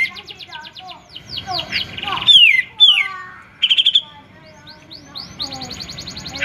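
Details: An actively singing Grey-cheeked bulbul (Alophoixus bres) gives a busy, varied run of harsh chattering notes, clear slurred whistles and a quick rattling trill, all bright and high-pitched.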